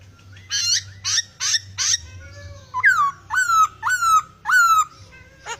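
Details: Laughingthrush singing steadily with a full range of varied, strange sounds: three harsh, buzzy bursts, then a run of loud whistled notes that each jump up and slide down. A low hum continues underneath.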